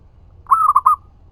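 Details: One brief zebra dove phrase, a lure to make other doves answer: a drawn coo then three rapid soft rolling notes, over quiet low noise.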